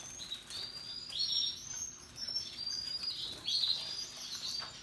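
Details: Russian yellow and Timbrado canaries among other singing birds, giving bursts of high, rapid, warbling trills and chirps in short overlapping phrases, loudness rising and falling between bursts.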